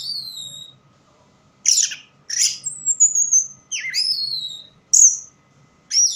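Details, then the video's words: Orange-headed thrush keeps singing in dim light, giving a varied phrase of high sliding whistles, harsh rasping bursts, a sharp downward-swept note and clear high whistled strokes, separated by short pauses. "Burung Anis merah bunyi tanpa bayangan"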